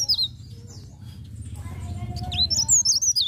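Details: Leaf warbler singing a rolling 'ngerol' song in the morning: high, thin whistled notes sweeping up and down, a short burst at the start, then a longer twittering phrase near the end, over a steady low hum.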